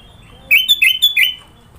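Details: Sooty-headed bulbul from Sidoarjo, East Java, in its varied filler song: a quick run of four or five ringing whistled notes, each rising sharply then levelling, delivered within about a second.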